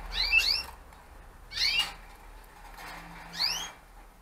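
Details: Gloster canaries from a set of breeding pairs kept for the 2015 season: three bursts of bright, rising, sweeping chirps, each stacked in quick layered notes, separated by pauses of about a second, over a faint low hum.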